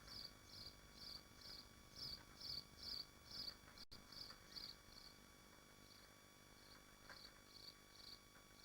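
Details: Several short, high, rasping screeches come in a rapid regular series, roughly two per second, from nesting swifts in Machynlleth, Wales, Dyfi Biosphere. A brief click interrupts, then fainter notes continue over a constant low hum.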